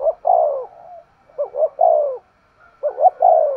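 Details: Spotted dove in an energetic 'thúc gù' cooing bout: three quick phrases, each with short clipped lead-in notes followed by a drawn-out, downward-sliding hollow coo, nearly silent surroundings.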